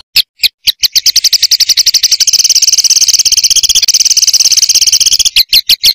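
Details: Master song for training competition birds: a few spaced sharp clicks build into a loud, fast, continuous high trill of rapid ringing notes, ending again in separate clicks.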